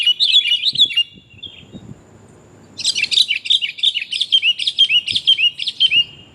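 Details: Sooty-headed bulbul female calling to the male, a recording used to lure birds: a short burst of lively warbled notes, then a longer run of rapid, bright, repeated chirping phrases.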